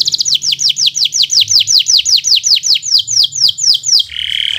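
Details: Bottle-green local canary in full song as a tutor for novice birds: a long, steady string of loud falling whistled notes, about four per second, closing with a low buzzy rattle.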